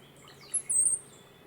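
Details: Courtship song of a hummingbird sitting in a tree in California's Sierra foothills: a quick, very high, squeaky, scratchy burst of notes after a short thin lead-in, on a quiet background.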